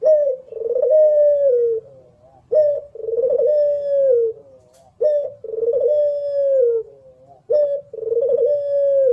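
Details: Barbary dove (Streptopelia risoria) song, a local competition turtle-dove, cooing in a steady cycle about every two and a half seconds: a short clipped note, then a long, low, rolling coo.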